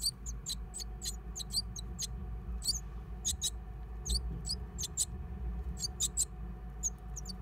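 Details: Great tit at a nest in an old stove: many brief, very high chirps and squeaks scattered irregularly throughout, some in quick pairs, over a steady low rumbling background.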